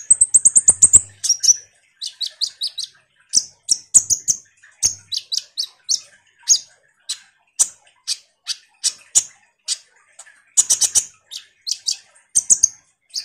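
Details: Common iora in lively 'ngobra' song, meant to provoke kolibri ninja birds: opening fast high trill, then a steady stream of sharp, piercing chips and short whistled slurs, delivered almost nonstop for over ten seconds.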